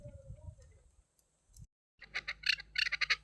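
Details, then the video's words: A hunting chukar partridge gives a quick run of harsh, chattering clucks, several per second, after a brief stretch of low rumble and quiet. "شکاری چکور آواز خوبصورت آواز کبک"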